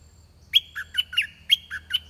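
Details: Red-whiskered bulbul used as a decoy to draw in wild birds. It gives two rapid, ringing phrases of about five whistled notes each, punchy and melodic, against near-silent surroundings.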